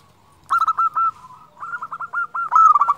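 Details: Singing local zebra dove, played to encourage other doves to sing: a brief stuttering cluster of coos, a pause, then a longer chain of evenly spaced rising notes ending in a louder flourish.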